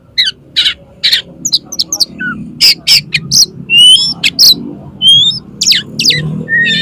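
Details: Oriental magpie-robin, called kacer, in full song, challenging another male to fight with tail opened: dense, loud run of sharp chirps, rich whistles and rising clear notes, many quick phrases with barely a pause, low hum underneath.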